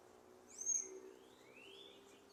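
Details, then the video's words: Bird singing, recorded 25 June 2023: a sharp, very high thin whistle that swells and fades within a fraction of a second, followed by two fainter, drawn-out rising whistled slurs over quiet background. "canto de aves"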